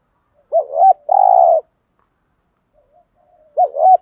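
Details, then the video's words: Spotted dove 'thúc gù' lure song meant to provoke wild doves into cooing back. One full phrase, a wavering double coo and then a long steady coo, followed after a two-second gap by the opening double coo of the next phrase. "tiếng cu gáy THÚC GÙ bài bản/ chim cu gáy giọng bài bản giúp bổi ức chế và gáy theo"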